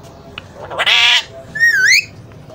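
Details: Alexandrine parakeet at play lets out a harsh, noisy squawk, followed by a clear whistled note that sweeps down and then back up.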